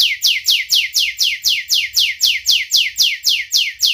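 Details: Young canary song meant as a lure for young canaries learning to sing: one steady phrase of sharp descending swept notes repeated about four times a second, no other sounds.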